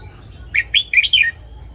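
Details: Loud red-whiskered bulbul morning song used to train caged wild-caught birds: one rich phrase of four or five rolling, slurred whistled notes, the last falling away, against a quiet background.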